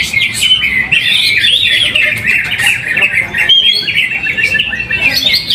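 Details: Greater green leafbird singing in a cage during a weekly practice competition in Trowulan, Mojokerto, Indonesia, where it placed first; a rolling stream of warbles and clear whistled notes, barely pausing, with background bird chatter.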